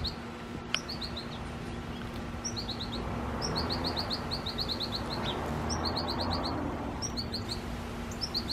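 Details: An American goldfinch in a tree gives quick bursts of thin, high chirps in short runs of three to six, over steady background rumble and a low hum.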